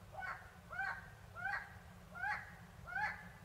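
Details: Tawny owl in Córdoba province calling repeatedly: five nasal, rising calls spaced roughly every 0.7 seconds, over steady low background noise.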